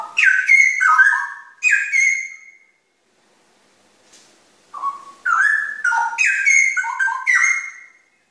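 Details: Cucak rowo, the straw-headed bulbul, delivers bright liquid warbling phrases of slurred whistles. A silent gap of about two seconds separates the phrases, and a long bubbling sequence follows.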